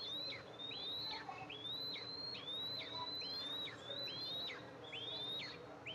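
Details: Nest camera at an Eastern imperial eagle nest, July 14, 2024, with the mother arriving to feed two eaglets. A steady series of high, slightly rising whistles, each ending in a sharp drop, runs about once a second over a hum.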